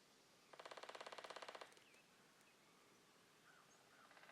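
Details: A woodpecker drumming in the woods: one rapid, even roll of about twenty strikes lasting just over a second, with faint chirps from other birds afterward.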